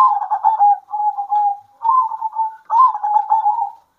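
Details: At midday, local zebra doves in Indonesia call back and forth. Several mellow, trilling coo phrases follow one another, each a bubbling run of low notes ending in a smooth drawn-out tone.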